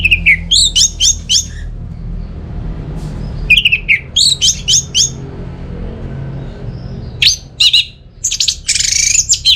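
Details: Excited song of an orange-headed thrush used to stimulate lazy birds to sing: groups of quick, high falling whistles repeated in bursts, then scratchy rasping notes near the end, with quiet gaps between phrases.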